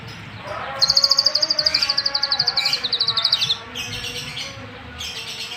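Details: White-rumped shama delivering a long, high, rapid trill of evenly repeated notes lasting nearly three seconds, then softer high chips, over a steady background hum and noise.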